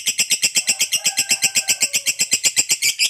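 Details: Lovebird ngekek song to provoke other lovebirds: a rapid, even rattle of harsh high notes, about seven per second, continuous and unbroken, with slight room noise.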